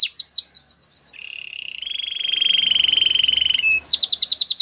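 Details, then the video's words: Canary training song opening with quick falling whistles, then a long low buzzing trill, ending with a rapid high rattling trill; faint low background noise. "Canary's training song"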